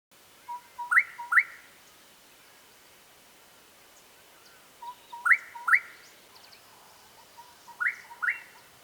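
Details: Gorgeous bushshrike from Southern Africa giving a repeated phrase: a short low note followed by two sharp rising whistles, the phrase recurring about every four seconds; faint other birds in the background.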